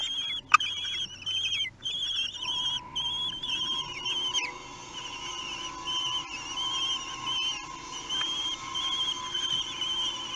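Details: Three-week-old common kestrel chicks being fed in Théding, France, 8 June 2021, give drawn-out, quavering whistled squeals in the first seconds. Softer repeated wavering notes follow over a constant low hum.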